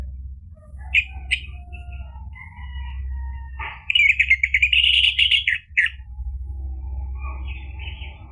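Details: Orange-headed thrush song used as a lure to get a bird singing: scattered soft notes, then a loud two-second run of fast jumbled warbling and trills, followed by quieter twittering over background hum.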